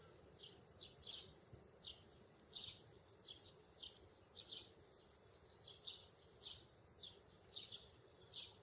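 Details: Two sparrows visiting a grassy meadow make a series of brief, sharp, high chirps, sometimes in quick pairs, spaced roughly every half second against a faint outdoor hiss.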